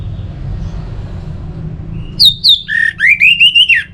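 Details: Orange-headed thrush (anis merah) song from North Bali, Singaraja, used to stir kept birds into singing. Two seconds of low hum, then loud clear whistled notes and a sustained rising, warbling phrase.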